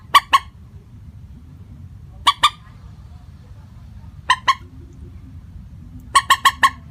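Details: Common moorhen lure call for trapping, constant in pitch: scattered pairs of sharp, nasal clucks, then a closing run of four quick notes, with long silent gaps.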